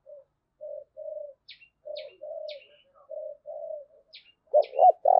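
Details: Lure call of a spotted dove to draw in wild doves: a steady string of soft, low hollow coos, interspersed with brief high chirps from another bird, ending in loud, fuller coos.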